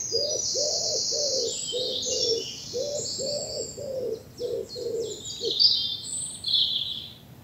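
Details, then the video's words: Morning in an English bluebell wood in spring: a steady low cooing, roughly one soft note per second in short groups, runs beneath bright high twittering and trilled song from other birds. "Birdsong and bluebells in the morning sun"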